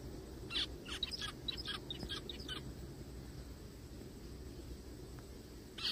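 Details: Little zebra finch crying in the forest: a rapid series of short buzzy nasal calls for two seconds, then quiet hum and one final beep.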